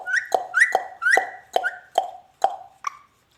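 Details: Talking ringneck parrot indoors: seven short, clipped harmonic syllables repeated about every half second, each with a quick rising upper tone, fading toward the end.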